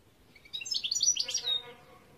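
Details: Goldfinch singing a brief, busy phrase of sweet chattering twitters that rise and tumble, finishing with a sustained thin whistled note; faint low tonal hum underneath.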